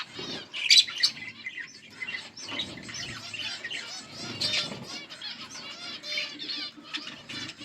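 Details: Two budgerigars, Australian parrots, in a soft continuous warble of rapid scratchy chirps and clicks, with one louder burst of calls early on.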